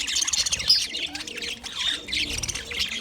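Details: Continuous budgerigar warbling, dense high chirps and trills running together without pause.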